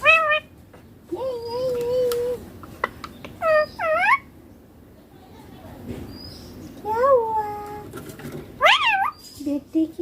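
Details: Young ringneck parakeet talking in clear Hindi, "papa" and "mummy": a long flat drawn-out syllable, then clipped wavering syllables, a pause, and a final cluster of arched, strained-sounding word imitations.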